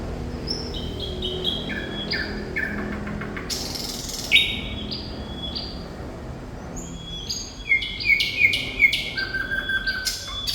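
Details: Sikatan londo, or thrush nightingale, in full song. Opening whistled phrases and a harsh burst are followed by a short pause, then clipped whistles and a rapid clicking trill.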